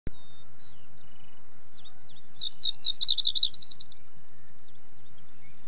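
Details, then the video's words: Common reed bunting (Emberiza schoeniclus) song: one short high phrase of about five sharp, separate chirps that speed into a quick, dry trill, lasting under two seconds, with faint thin calls in a quiet background. "Как поёт камышовая овсянка голос / пение."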